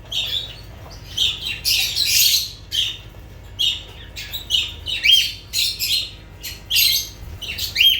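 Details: Lovebird chatter: a run of harsh, grating squawks and sharp high chirps in short bursts roughly every half second, loud and busy for the full eight seconds.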